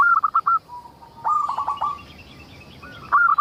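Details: Local zebra dove in full song, played as a lure so other zebra doves answer: three clusters of quick staccato cooing notes, each cluster a short trilled rattle, separated by brief gaps.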